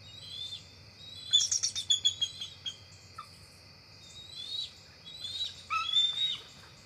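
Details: Two adult bald eagles visit their NCTC nest just before dark on October 4, 2023, and both stay the night; two bursts of shrill, chattering chirps, the second ending in rising whistles, with an insect hum throughout.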